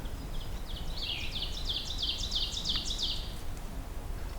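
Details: An ovenbird on the Beaver Meadows Loop in Allegheny National Forest, on a hazy afternoon possibly smoky from wildfires, sings a fast run of bright two-note chips swelling louder over about two seconds, over a low rumble.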